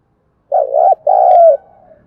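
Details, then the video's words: Spotted dove decoy coo for stirring up and training newly caught doves: a loud, low, mellow two-part phrase, a wavering coo then a longer sustained croo that slides slightly down, in an otherwise quiet setting. "Tiếng chim cu gáy kích bổi nhanh nổi, Tiếng cu gáy mồi thúc luyện bổi"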